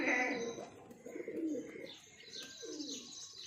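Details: Pigeon from a breeding pair gives short low sliding coos, with higher chirps from other birds around it.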